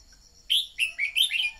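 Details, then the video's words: Decoy red-whiskered bulbul singing, played to spur newly caught birds to sing. One fast phrase of five bright, slurred whistled notes that drop and rise, over a steady high insect drone. "Luyện giọng chào mào mồi-kích bổi mau hót"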